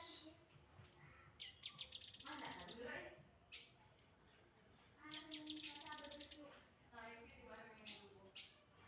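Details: A grey-headed canary-flycatcher gives two high, fast-ticking trilled phrases about three seconds apart, mixed with softer lower twittering notes.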